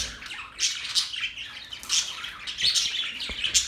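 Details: Budgies recorded October 11, 2023, produce intermittent high chirps and scratchy squawks over softer background twittering, with loud peaks roughly every second.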